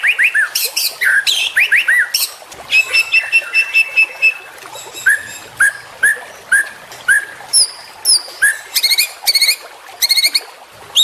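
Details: Juvenile white-rumped shama, a champion young bird, singing a training song for other shamas: rapid sweeping whistles and chattering notes at first, then a long steady whistle and spaced, bright, ringing phrases repeated every half second or so.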